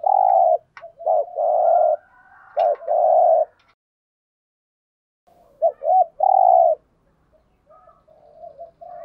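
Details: Spotted doves, male and female, cooing as a lure to draw wild doves: low, soft hooting coos in short phrases, a gap of silence, then another coo phrase with faint background murmurs.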